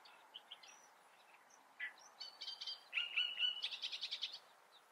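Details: Great reed warbler singing: scattered squeaky notes build into a loud series of rapid, harsh, rhythmically repeated chattering syllables over about two seconds, with a few whistled notes between.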